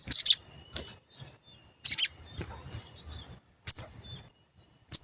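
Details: Sooty-headed bulbul lure sound used to stir birds into answering. Short high double chirps, described as cuit cuit, come about every two seconds over a quiet background.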